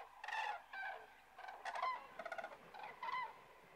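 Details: Common cranes resting south of Kastlösa in September 2013. Loud, clear trumpeting calls come in a bouncy series of about seven rolled, slightly rising-and-falling notes, with other cranes answering in the background.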